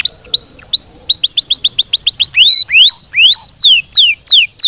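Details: Canary singing loudly at close range: a few rising whistled notes, then a fast even trill of repeated upslurred notes, followed by slower, sweeping downslurred whistles, bright and very high-pitched.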